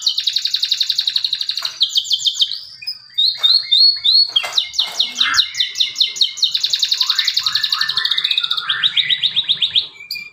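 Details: Male canary singing a lure song meant to prompt silent canaries to sing: a fast, unbroken run of high trills, sweeping notes and rapid repeated chips that shift phrase every second or two.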